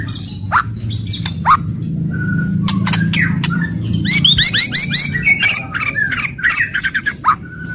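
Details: Fierce murai batu song used to provoke rival birds: scattered sharp clicks, then a fast series of repeated upward-hooked whistles and chattering notes, with background hum.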